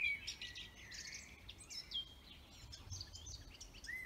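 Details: Forest birdsong from multiple singers: busy chirping notes and brief clear whistles blending together against a constant low rushing noise.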